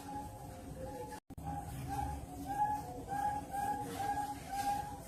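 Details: A ringed zebra dove (perkutut) at a bird farm in Cirebon, Indonesia, sings soft, mellow cooing notes in a rolling series, about two a second, over a low steady background hum.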